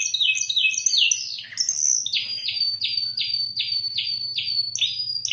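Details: Spanish timbrado canary song, recorded in Indonesia: rapid high chirps and whistles giving way to a regular series of falling metallic notes, with a faint low hum behind.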